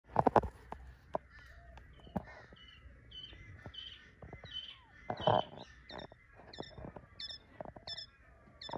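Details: Two-week-old baby quails playing in Australia give short, high, descending peeps, often in quick pairs, scattered across the recording over soft tapping and knocking sounds.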